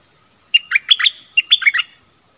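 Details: Caged stripe-throated bulbul calling to wild birds that approached but stayed off the ground, likely nesting, 1 April 2021. Two close, bright, warbling phrases of five or six liquid notes each, then silence.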